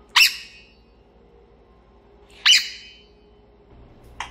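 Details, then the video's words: Pet grey parrot screaming indoors in the afternoon: two loud, sharp, piercing shrieks about two seconds apart, each falling away quickly, then a brief softer squawk, over a faint steady hum. "소리지르는 회색앵무"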